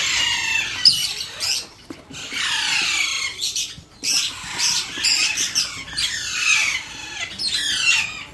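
Alexandrine parakeet chick gives harsh, raspy squawks in rapid bursts, each sliding downward, nearly continuous with brief pauses during hand feeding.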